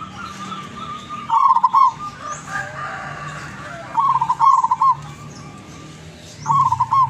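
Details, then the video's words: Zebra dove of lurah grade, wild-caught near Tuban, East Java; three stammering cooing phrases, each a quick run of notes ending in a rolling coo, about every two and a half seconds, plus faint clicks and low hum. "Perkutut Lurah gacor doorrrr"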